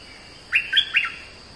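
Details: Oriental magpie-robin giving a brief burst of three quick, bright whistled notes, slurred downward, over a soft steady high hum.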